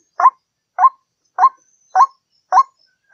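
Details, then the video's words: White-breasted waterhen call played as a lure to draw waterhens in: five harsh, nasal 'ruak' notes, each rising then breaking, spaced evenly about 0.6 seconds apart against silence. "Suara pikat Mp3 Ruak ruak"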